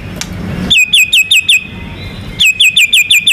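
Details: Rapid shooting phrase from a contest-champion White-rumped shama singing to draw other birds into song: two bursts of identical sharp descending whistles, each note repeated about five times a second, with a brief pause between bursts.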